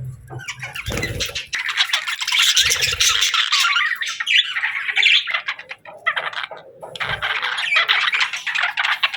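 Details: Budgies chattering nonstop, producing buzzy, grating warbles mixed with squawky notes and rapid high twitters, with a soft low bump near the start and another later.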